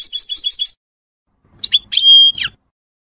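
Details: A 2022 colour European goldfinch hybrid with a large white bib, nearly finished its first moult, opens with a quick, high rolling trill of five notes, pauses, then adds bright twittering notes and one clear, level whistle.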